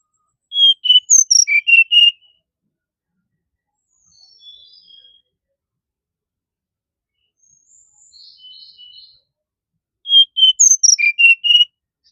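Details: A brown-chested jungle flycatcher gives two loud phrases of rapid, clear whistled notes, high notes falling to lower ones, about nine seconds apart, with faint soft warbling between them.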